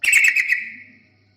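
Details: Lure song of a yellow-vented bulbul for attracting other birds: a brief, lively burst of bubbling chirps that fades out within about a second.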